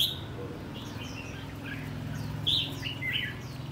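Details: Red-whiskered bulbul kept in a tall square cage with four corner perches, giving rồ ché song: a few brief, bright whistled slurs, loudest near the start and end, above a constant low background hum.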